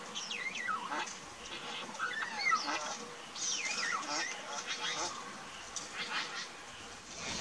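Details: Satin bowerbirds in an Australian backyard garden, filmed 12 August 2018. Some feed while others sing from the trees. Varied overlapping whistles, buzzy rasping notes and downslurred calls come from several birds in irregular bursts.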